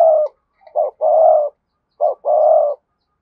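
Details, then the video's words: Spotted dove, cườm sa type, in close, clear cooing: a short clipped note followed by a long smooth hum, the pair repeated about once a second. "cu gáy thúc gù CƯỜM SA, cu gay kich boi nhanh noi gù"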